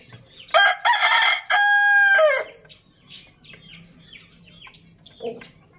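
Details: Rooster crowing loudly: one harsh, harmonic-rich crow of about two seconds with a long sustained middle and a dropping end, followed by quieter clucks and scattered bird chirps.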